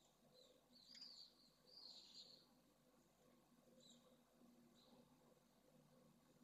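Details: A Pallid Swift chick about to fledge, in a 2022 nest at Esclavas de Jerez, Jerez de la Frontera, gives thin, high, buzzy screeches in two short bursts a second apart, then fainter chirps over a low hum.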